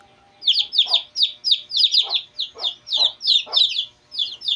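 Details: Downslurred, piercing peeps from two-day-old Shamo chicks, often paired or tripled, repeat roughly three times a second after a brief quiet opening.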